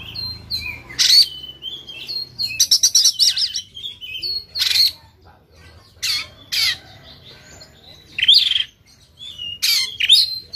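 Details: White-rumped shama from Sumatra singing while fighting and spreading its tail; short whistled phrases, a rapid stuttering rattle, and harsh broadband bursts scattered irregularly over about ten seconds.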